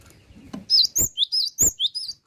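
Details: Full-voiced song of a cinereous tit (gelatik batu): six loud, bright whistled notes in close succession, each a rising-then-falling swoop, after soft rustling.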